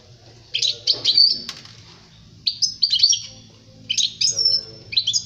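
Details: Goldfinch song used to train young birds: three or four distinct bursts of bright liquid twittering with buzzy, tinkling notes, each about a second long, separated by short silent pauses, over a faint low hum.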